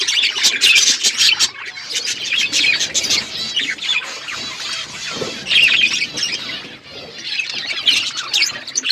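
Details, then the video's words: Chirping flock of budgerigars in an outdoor aviary: loud, dense high chatter of scratchy warbles and squeaks that swells and fades in waves every few seconds. "Budgies flocks in outdoor aviary budgies colour budgies chirping sounds"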